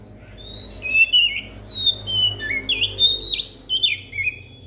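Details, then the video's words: Oriental magpie-robin singing as a lure to prompt other magpie-robins to sing: a rich, varied run of whistled notes, short slurs and sweeping phrases delivered almost without pause, with faint low hum beneath. "suara pancingan kacer"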